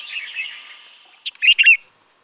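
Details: A Himalayan bulbul in Uttarakhand, India, gives a soft chattering phrase, then three loud, bubbly chirps in quick succession, bright and mid-high in pitch.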